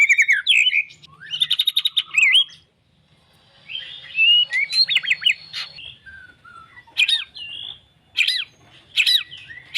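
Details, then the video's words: White-rumped shama, called a champion fighter, giving a fast trilled burst, then a short pause, then varied whistled slides and sharp high notes in separate phrases, with a faint low hum underneath. "murai faighter mental juara"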